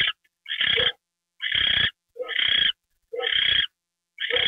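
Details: At 9:33 PM on 28 January 2013, an owl receiving a mouse treat gives loud, rasping hisses about half a second long, repeated about once a second, some with a brief lower note at the start.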